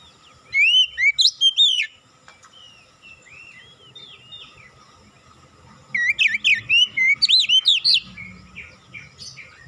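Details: Oriental magpie-robin (kacer) lure song interspersed with imitated cinereous tit notes: two loud runs of rapid, high whistled notes about five seconds apart, with softer chirps between them and a low steady hum.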